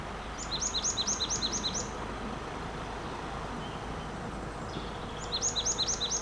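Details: Marsh tit calling by trees in the New Forest, England, in March 2025: two bursts of about six high, sharp, quickly repeated notes, each series lasting roughly a second and a half, over a steady car engine hum.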